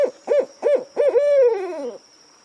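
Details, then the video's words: Owl calling at night: three short, clipped hoots in quick succession, then one long, drawn-out hoot that wavers and slides downward before fading, with a thin steady high-pitched hum in the background. "The sound of an owl at night (صدای جغد در شب)"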